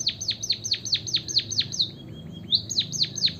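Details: White-headed munia song used to coax other birds into singing: sharp high notes sweeping steeply downward about five times a second, a short pause with faint lower whistles, then the down-slurs resume.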